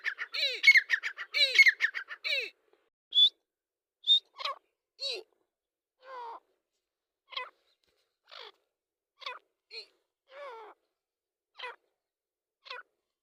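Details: Grey francolin, locally called Dakkni teetar, calling: a quick cluster of harsh, harmonic notes at first, then single short notes with falling, slurred tails, repeated about once a second in a quiet setting.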